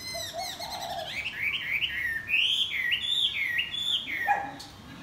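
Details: Chinese hwamei singing in the morning, with wing-flapping: a rich run of varied whistled phrases, rising and falling slurs and quick trills, fairly loud against a steady low background hiss.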